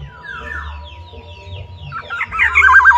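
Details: Black-naped oriole singing outside its cage: faint descending whistles early, then a loud, looping fluty phrase of rolling whistled notes near the end, over a steady low hum.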